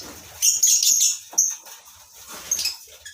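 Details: High, piercing chirps from lovebirds housed in a breeding colony, clustered in a quick series early on, then a few scattered squeaks.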